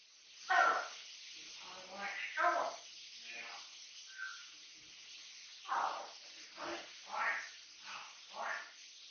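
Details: Indoors, a captive-bred pet Amazon parrot, aged three, keeps up a steady gibbering: repeated rough, harmonic syllables about two per second at irregular spacing, with a brief thin whistle among them.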